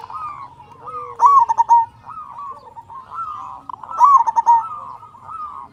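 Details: Local zebra dove with a strong voice, singing to spur quiet doves. Two loud bursts of staccato cooing sit nearly three seconds apart, with steady softer cooing from nearby doves between them.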